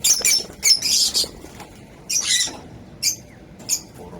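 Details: African lovebirds kept in a home-built colony: short, harsh, shrill squawks and chatter bursts given several times with quiet gaps between.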